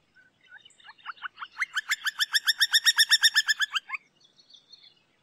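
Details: Campo flicker song: a fast, steady series of ringing notes, about four per second. It swells to a loud middle and then stops abruptly, with a few soft notes before and after.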